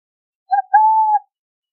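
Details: Burrowing owl song made of a quick soft note and then a longer, smooth, level hoot, with nothing else audible.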